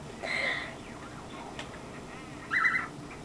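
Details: Pet male cockatiel in a chirp routine, giving two separate whistled chirps, one early and one louder near the end, with quiet between them.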